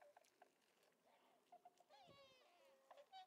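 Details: Tundra swans on Lake Biwa, west shore, 27 February 2020: soft, short, clipped hoots repeated in a loose series, with one longer buzzy, wavering call midway over quiet background noise.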